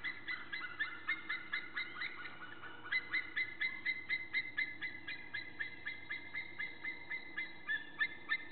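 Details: Two white-tailed eagles, one on the nest and the other nearby, call together at 7:20 on 1 April 2014. Long runs of sharp, yelping, gull-like notes, about two per second, over a steady low hum.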